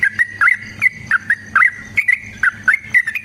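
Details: Sooty-headed bulbul delivering chatty fighting-style song, used as a lure to prompt other birds to answer. Clear whistled notes, some slurred downward, follow one another every third of a second in a steady chain.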